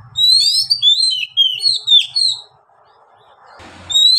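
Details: White-rumped shama song, loud and continuous: a rapid string of rich whistled phrases, some sliding down and some rising, delivered in quick succession for about two seconds, then a pause with faint background noise before another whistle begins.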